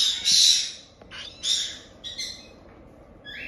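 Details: Month-old cockatiel chicks from Tokachi, Hokkaido, give a loud hoarse begging rasp, then several shorter scratchy calls, ending with a faint rising squeak.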